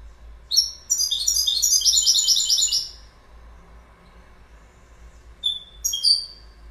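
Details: A goldfinch delivers a quick, jangling run of bright twittered notes lasting about two seconds, then falls quiet before a few thin, sharp chirps near the end.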